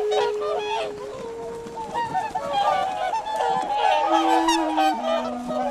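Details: Whooper swans on icy, misty Lake Kussharo in Hokkaido, Japan. Overlapping nasal honks and bugling notes from several birds merge into a busy chorus, with sustained musical tones running beneath.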